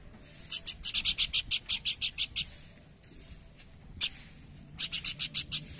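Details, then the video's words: Horsfield's babbler in full song, delivering a long, rapid run of about ten loud, dry chip notes, a single isolated note, then a second fast series of five; steady, quiet background. "Burung Planduk Semak Gacor"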